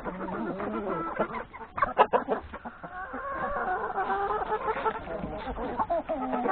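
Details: Chickens with three roosters breakfasting in the yard ahead of grazing in the forest; low clucking at the start, a burst of sharp calls, then a sustained flock murmur with drawn-out tonal notes.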